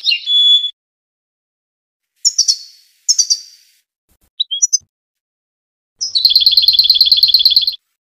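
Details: Tunisian European goldfinch singing: a clear whistled note, then short tinkling twittered phrases with pauses, ending in a fast, even, buzzy trill of about a second and a half. The background is silent.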